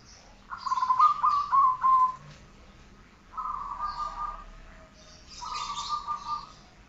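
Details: Perkutut or zebra dove training song: three drawn-out, trilling coo phrases, the first clearest with rapid wavering notes, the later two softer and smoother, with faint hiss in the background.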